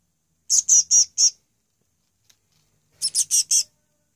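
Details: Chick being fed on its second day in care, 28 May 2015, calling in two short bursts of four piercing, high chirps in quick succession, separated by a pause of nearly two seconds.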